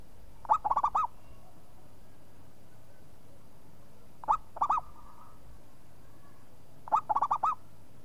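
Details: Lively local zebra dove answering after one call with three phrases about three seconds apart. Each is a quick string of rolling, curling coo notes, and a soft trailing coo follows the second phrase.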